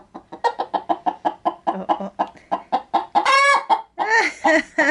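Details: Pet hen getting ready to lay an egg inside a bag of chicken feed, cackling when approached: a fast run of short clucks, about five a second, then a long harsh drawn-out squawk followed by more clucks and wavering cries.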